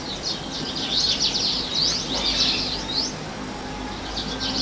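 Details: House bunting uttering rapid bursts of high twittering notes in short runs with brief pauses, against a constant low hiss and faint hum.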